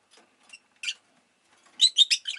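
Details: Rosy-faced lovebird (Agapornis roseicollis) chirping: a few faint, scattered chirps at first, then a sudden burst of loud, shrill, rapid chirps clustered near the end.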